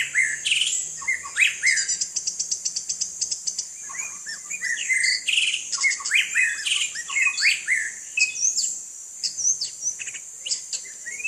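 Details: Rich, varied song of a white-rumped shama playing in rain, including a fast rattling trill of rapid clicks, then tumbling whistled phrases and chirps, with steady rain hiss behind.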